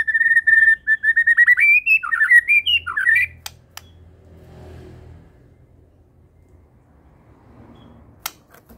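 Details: White-rumped shama of the Medan variety in lively song full of fill phrases. A fast, chattering string of pulsed whistles climbs and then breaks into scratchy notes before quiet room hum.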